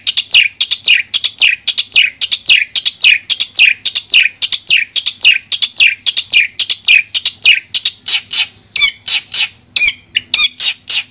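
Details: Madura long-tailed shrike singing a clear master song: long fast stream of short chirps and downslurred notes, roughly two per second at first, later broken by harsher trilled phrases.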